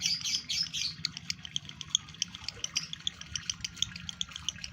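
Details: Male lovebird in breeding condition, kept caged, starts with shrill squeaky twittering, then settles into rapid dry clicking chips with faint chatter underneath.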